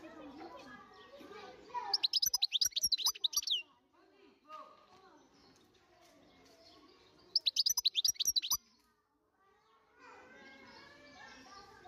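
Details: European goldfinch song: two loud bursts of fast, high, tinkling twitters, each lasting about one to two seconds, separated by stretches of a person talking, with speech again at the end.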